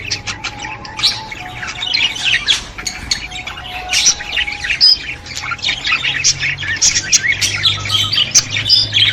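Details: Budgerigar flock chatter used to stimulate budgies, a continuous high twitter of chirps, squeaks and squawks, with a faint steady tone low in the background during the first half.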